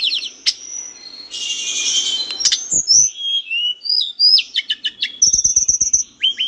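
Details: Vigorous mountain bush lark on a cage-bird training recording: opening chirps, a harsh hissing burst, then sliding whistles, quick stuttered notes and a fast high trill near the end.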